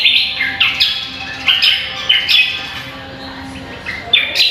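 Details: Contest-training song of a greater green leafbird: strong whistles stepping down in pitch, several notes per phrase, followed by a softer pause and then a fresh high note.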